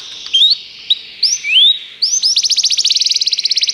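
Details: Canary on a training recording for canaries gives a few scattered upslurred whistles with pauses between them. These are followed by a rapid, buzzy, pulsing trill that keeps speeding up to the end.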